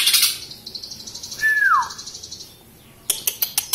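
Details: A young greater green leafbird kept as a cage bird, past its juvenile stage and nearly through its moult, gives a rapid run of high chips, then one clear whistle sliding down; sharp clicks follow at the end.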